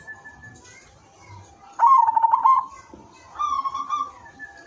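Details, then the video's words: Zebra dove of silver colour giving its melodious song, used as a lure so other doves join in; one loud rolling, pulsed coo phrase followed by a softer rising trilled phrase. "perkutut silver gacor manggung irama merdu jadi pancingan semua jenis perkutut dijamin ikut bunyi"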